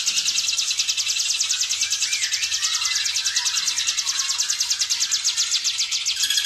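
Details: Hill prinia giving its fast, tightly packed 'ngebren' song, recorded for tutoring other birds. Unbroken high, buzzy pulses repeat steadily, with faint lower, twisting chirps in the background.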